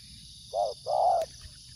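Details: Spotted dove giving two soft, low cooing notes, a short one then a longer drawn-out coo, with steady high-pitched insect buzzing in the background.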